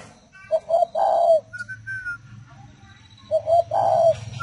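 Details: Tame captive spotted doves kept as a breeding pair, cooing: two low, hollow phrases of quick short notes that run into a longer drawn coo, about three seconds apart. A few thin higher chirps and a steady low hum sit in the background.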